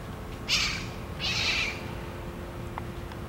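Two harsh, raspy screeches from a red-masked parakeet, the second longer and flatter, about half a second apart over a faint steady hum.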